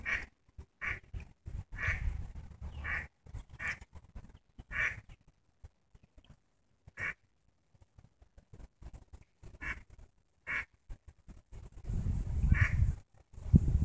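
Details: Several ducklings swimming in St Petersburg, Florida, give short, nasal quacks at an irregular pace as a dog swims closer, over low splashing and rumbling.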